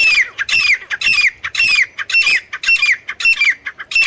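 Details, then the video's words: A male and female partridge (teetar) calling continuously in loud, raspy, squawking phrases. Each phrase holds a sliding, descending note, and the phrases repeat about twice a second with steady rhythm. "नर और मादा तीतर साउंड। Male teetar and female teetar voice."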